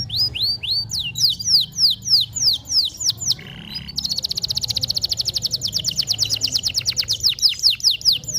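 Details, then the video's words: Dark-coloured local canary singing vigorously: a series of sharp downward-sweeping chirps, a short buzzy note, then a long fast high trill of evenly repeated notes. "kenari gacor lokal warna gelap"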